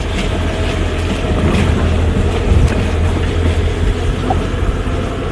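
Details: Heavy wind buffeting and low engine rumble dominate throughout, with no animal calls.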